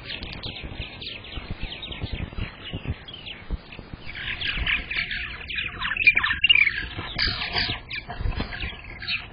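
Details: Purple martin calls at the nest during egg laying, May 15th, 2022: soft croaking chirps building to a dense burst of gurgling chatter midway, with low thumping background noise.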